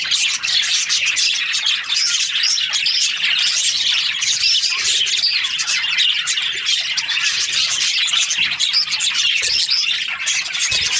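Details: Budgerigars kept as breeding pairs, a crowd of them chattering together: dense, continuous high-pitched chirps and warbles overlap without pause for the whole stretch.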